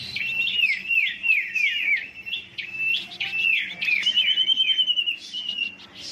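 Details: Huyt Co bird in a fighting song, rolling out rapid descending whistled slurs in a row, then a high sustained trill.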